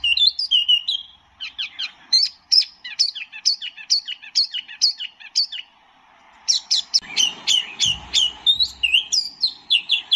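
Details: Singing white-eye, known as tieu mi or wambi mini: steady sequences of quick sharp chirps and slurred upward notes, with a short quiet break midway and a faint low rumble.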